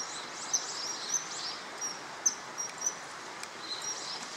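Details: A male common kingfisher at the Tama River on 2013-03-21 gives brief, thin, very high whistles, about one every half second, over a steady hiss of water or insects.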